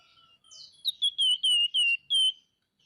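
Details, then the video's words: Pin-tailed parrotfinch, known locally as flamboyan, calling lively: a soft lead-in note, then six loud, clear, high whistles in quick succession, each gently dropping in pitch, on a quiet background. "Burung FLAMBOYAN GACOR Nyerecet Cerewet Merepet"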